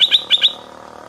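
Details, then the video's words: Stripe-throated bulbul in the morning giving a brief burst of four quick, bright chirps, high-pitched and closely spaced, fading into quiet background. "เสียงนกดอกแตงEp.142 กินกาแฟฟังเสียงนกต่อเจ้าตัวเล็กยามเช้า(Stripe-throated Bulbul)"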